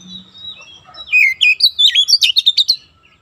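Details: Training song of an oriental magpie-robin for young birds, dense nembak rapat style: a soft lead-in, then roughly a dozen quick, rising and falling whistled notes packed tightly together.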